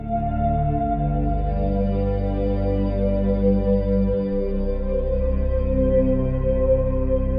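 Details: Sustained organ-like ambient music with low droning chords shifting partway through, no animal voices.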